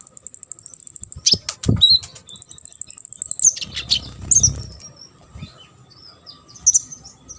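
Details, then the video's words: Olive-backed sunbird song for training competition birds: thin, very high buzzy trills held for about a second each, broken by sharp descending notes, then sparse high chips with some low background noise. "KONIN GACOR ISIAN MASTERAN UNTUK BURUNG LOMBA."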